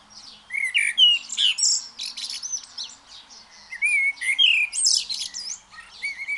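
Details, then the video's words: Free-living blackbird singing a dense, high twittering phrase of rapid squeaky and whistled notes, a few clearer slurred whistles mixed in, in two bursts with a short pause between. "blackbird sings freely"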